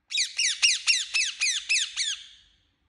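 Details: Indian ringneck parakeet, kept as a pet, giving a loud run of eight harsh, buzzy squawks, each sliding downward, evenly spaced about four per second and fading away at the end; no other clear sounds.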